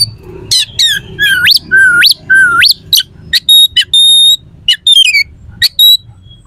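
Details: Oriental magpie-robin song with rough, sharp phrases, played to make rival magpie-robins agitated and ready to fight in contests. Three rising slurred whistles, then long steady high whistled tones mixed with sharp chirps, over a low background hum.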